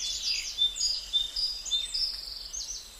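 Gouldian finch song: thin, very high hissing notes and short whistles, run together in a soft, continuous, whirring stream for three seconds. No other sounds stand out.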